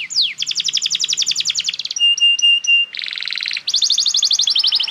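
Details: Canary song for training juvenile canaries: an opening down-sweep, long rapid rolling trills, a set of short clean whistled notes on one pitch, then more fast buzzy tours.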